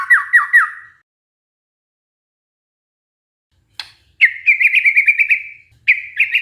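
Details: A white-rumped shama singing, used to coax a stressed shama back into song. A short run of quick falling notes, a silence of about three seconds, then a fast, even trill and one more brief burst.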